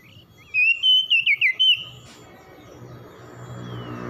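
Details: Oriental magpie-robin morning song: one clear phrase of about six rich, wavering whistles lasting just over a second, followed by rising background noise.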